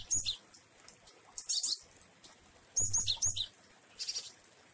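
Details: Glatik wingko, a Java sparrow, singing with variations as rain falls: short phrases of high piping whistles and clipped chirps, repeated in bursts about a second apart, rain hissing steadily behind.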